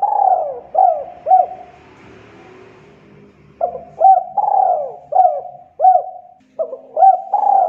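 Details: Repeated spotted dove coo phrases used as a lure for trapping: looping notes and long drawn-out falling coos, with a soft rumbling background noise early on.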